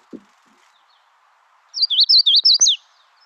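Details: Quiz playback of a Magnolia Warbler singing: one short phrase of six rapid, high, wavering slurred notes ending in a sharper upward flick, over a low steady hum with a brief thump before it.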